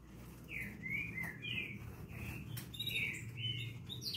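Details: Green-winged saltator singing in the style called mestiço: a run of rich, slurred whistled phrases, several short notes sliding up then down, delivered in quick succession over a steady low rumble of background noise.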